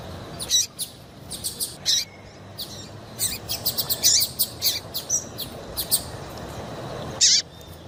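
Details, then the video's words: Female double-collared seedeater chirps, played so males will sing: short, high, sharp notes in uneven bursts of several, repeated irregularly through the recording, with light constant hiss behind. "PIADO DE FÊMEA PARA DEIXAR SEU PAPA-CAPIM DOIDO PARA CANTAR LOGO!"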